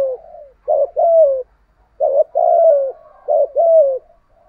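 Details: Spotted dove kept for its cooing style, used to draw wild doves into calling. Three couplets of a brief throaty note followed by a long, softly falling coo, evenly spaced over a quiet background.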